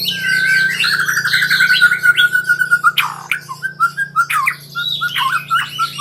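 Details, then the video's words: White-rumped shama practising its rolling trill: a long buzzy trill for about three seconds, followed by sharp downslurred notes and short whistled phrases, over a low constant hum. "Murai Super Belajar Kicau"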